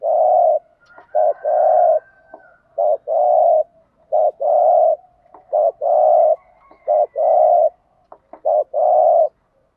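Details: Spotted dove calls from Vietnam, male and female, used to provoke wild males: a low, steady series of mellow hooted coos in short and long pairs, about a dozen notes in ten seconds.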